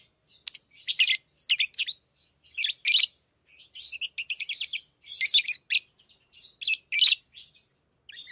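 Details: Hand-tamed lovebirds chirping indoors, a steady run of shrill, rasping squeaks in quick clusters, some notes buzzy and stuttered.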